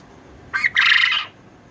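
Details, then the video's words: A male quail, said to be a bantam, gives one harsh, buzzy crow: a short clipped note, a brief gap, then a longer rasping phrase, all within about a second. "Male Quail Sound"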